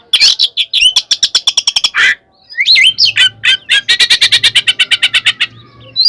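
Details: Oriental magpie-robin in full fighting song, loud and clear, used to provoke rival birds: sharp whistled notes and squeaky slurs, then long runs of rapid, even, buzzy chattering notes repeated several times a second, with a faint low hum beneath.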